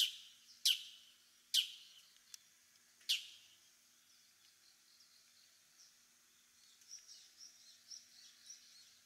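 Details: In Japan, a Bull-headed Shrike, a bird of farmland, grassland and waterside, gives three harsh, shrill, downward-slurred notes about a second apart, then faint high twittering in the background.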